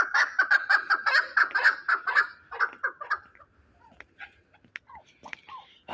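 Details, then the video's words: Fighting chukar partridge from Shahritus, Tajikistan: a run of repeated clucking chuk notes for about three seconds, fading into scattered clicks and faint higher chirps afterward. "Кабки Шаҳритус ҷангӣ"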